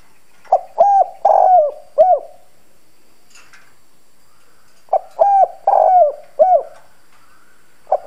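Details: Spotted dove decoy cooing hard in the hoarse 'đồng' voice style to lure wild birds: two clipped, emphatic coo phrases of four quick husky notes each, separated by a few seconds of quiet.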